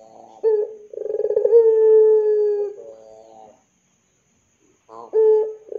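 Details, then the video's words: Puter pelung dove cooing as a lure for young doves. A brief hiccup note, then a pulsed, throbbing lead-in that smooths into a long low sustained tone. A short pause follows before another rising stutter note. "SUARA PANCINGAN BURUNG PUTER PELUNG GACOR COCOK UNTUK MASTERAN PUTER MUDA"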